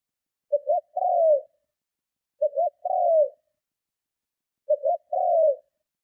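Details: Three repeated coos from a spotted dove used to lure and provoke others, each a pair of short low notes and a longer falling coo, spaced roughly every two seconds, no other sounds.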